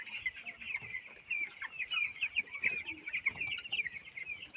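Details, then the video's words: Flock of 18-day-old farm chicks peeping nonstop, a thick layer of shrill, rapid overlapping chirps, with a few louder sharp notes standing out near the middle. "chicken farming // 18 days chick"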